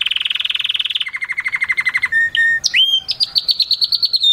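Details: Male canary singing a strong Mushti-style song for mating and stimulating females: a fast high rolling trill, then slower descending pulsed notes, a steady tone, a sharp upward sweep and a rapid high repeated phrase.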